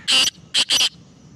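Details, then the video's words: Sindhi black francolin calling: three harsh, grating high bursts, a long one, then a short one and a double burst, over about a second, with a quiet background. "Sindi kala boli bahtarin awaz"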